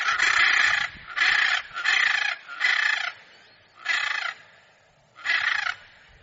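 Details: Harsh, rasping hyacinth macaw calls, six loud squawks of about half a second each, the first four in quick succession, then two more spaced about a second apart.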